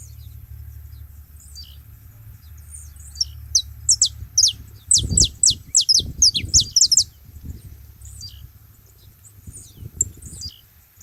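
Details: Saffron finches gathered at a feeding spot: after quiet scattered high ticks, a four-second burst of bright, rapid downslurred chirps, then faint distant notes, with low thumping sounds underneath.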